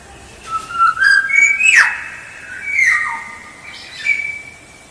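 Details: Black-naped oriole song used as a lure: clear fluting whistles around mid pitch, rising and stepping up, with a harsh downward-sweeping note, phrases repeated about every second with short pauses.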